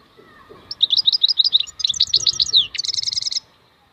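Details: Song of a wild European goldfinch: a string of quick chirps, then slurred tinkling notes and a descending slur, finishing in an even, rapid high trill.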